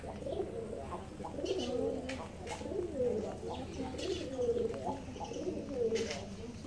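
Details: Reared pigeons cooing: low, rolling, throaty coos rise and fall in a repeated pattern, one roughly every second and a half, over a background hum with scattered clicks and brief high taps.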